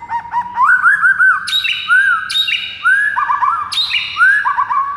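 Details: White-rumped shama song used as a lure to provoke silent rival birds into furious singing: loud, rich whistled phrases, with rising and falling notes and sharp high upward flicks, repeated about every one to two seconds without pause.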